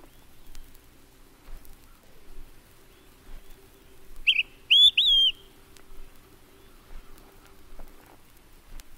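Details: Olive-sided Flycatcher delivering a single short whistled phrase of three quick notes, the last slightly drawn out, with a low steady hum in the background.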